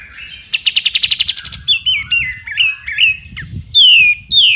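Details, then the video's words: A Sooty-headed bulbul, recorded as a master song for tutoring other songbirds, opens with a quick rattle of about a dozen high ticking notes, then a run of bright whistled phrases that slur downward. "KAPAS TEMBAK GACOR FULL NGEPIK BESET"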